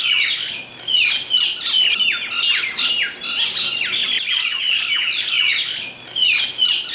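Mynas squabbling with a continuous stream of harsh, grating squawks and chattering notes, loud and busy throughout with brief dips every couple of seconds.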